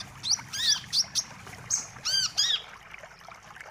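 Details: Lure sound for trapping wiceh birds: separate sharp, high chirps and arched, down-curving whistled notes come in short bursts, some doubled, against a quiet background.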